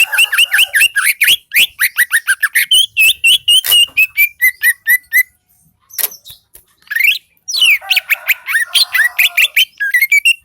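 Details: Greater green leafbird (cucak ijo), Lembah Selawah type from Aceh, in full active song: long rapid run of sharp chirps and whistled slurs, brief pause, then another burst of chattering, rising and falling notes.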